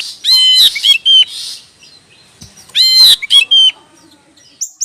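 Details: Bulbul uttering two bursts of clear, slurred whistled notes, each a quick cluster of descending phrases mixed with rough, noisy texture, separated by about two seconds of quiet.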